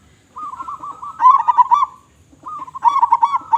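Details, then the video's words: Local zebra dove singing actively with a big voice: a soft burred coo rolls into a loud, rapid, stuttering run of low notes, then pauses. A second rolling phrase builds to loud staccato coos. "Perkutut Lokal Gacor Suara Besar"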